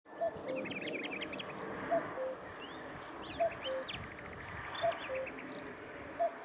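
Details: Common cuckoo in Sofia, Bulgaria, on 1 May 2020, giving its two-note falling 'cu-coo', repeated five times about every one and a half seconds, over a busy chorus of twittering songbirds.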